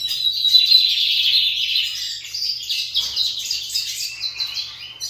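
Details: Lined seedeaters kept as pets in a singing contest: a loud, high, buzzy warble opening the passage, then a stream of quick repeated chattering notes, roughly three to four per second, fading toward the end.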